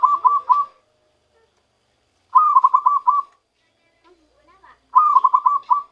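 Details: Zebra dove caught by trapping, starting to sing its own song: three separate bursts of fast, bubbly coo notes, each burst under a second long, with silent gaps of over a second between them.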